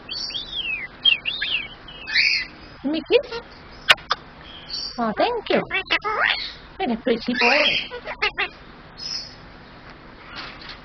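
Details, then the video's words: Pet male superb parrot talking, copying phrases like "hello", "what are you doing", "give me a kiss" and "oh thank you": many quick speech-like syllables with bending pitch, interspersed with whistled chirps and sharp clicks. "my superb parrot talking"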